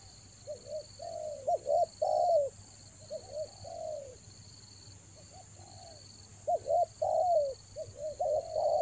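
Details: Spotted dove lure call for the rainy season, Toba: scattered groups of brief hooked coos and longer sliding ones, a pause midway, then a denser run of coos, over a persistent high whine.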